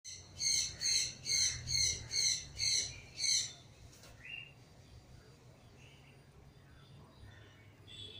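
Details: Captive pair of green-winged macaws (Ara chloropterus): seven harsh, raspy squawks, about two per second, then only faint scattered calls over a quiet background.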